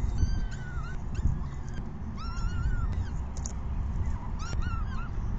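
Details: Begging peregrine falcon chicks during an evening feeding, 6 PM, May 14, 2021: sparser drawn-out, wavering squeals in short clusters, separated by brief gaps, against a steady low rumble.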